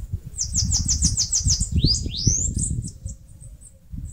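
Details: High, rapid Bananaquit song from northeast Brazil, where the bird is singing and nest-building in a mandacaru cactus: about eight sibilant downslurred notes, then two looping rising sweeps and soft high chips, with low background rumble.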